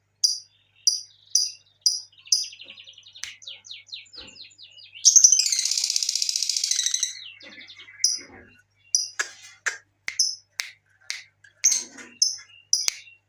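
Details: Lure sound of a lovebird to set others singing: spaced high chirps, then an extended buzzy, grating chatter lasting about two seconds, followed again by quick sharp chirps.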